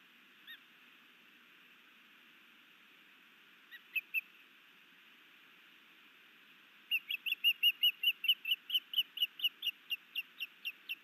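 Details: Osprey calling in Hellgate Canyon, Missoula, Montana, May 2019, during a new male's courtship sky dance and fish gift to his mate: scattered single chips early, then a rapid burst of about fifteen high whistled notes fading slightly.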